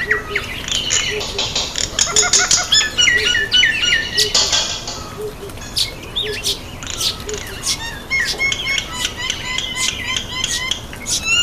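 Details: Common myna (Indian myna) bathing: varied whistled and squeaky chirps with harsh notes, mixed with bursts of flapping and splashing wings. Soft low repeated notes and brief voices sound in the background.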